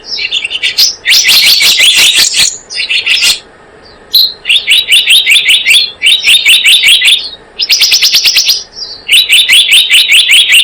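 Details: Trapping lure of the blue-eared kingfisher: long sequences of rapid, high, shrill notes in repeated bursts, broken by one short pause, continuing almost without break for ten seconds.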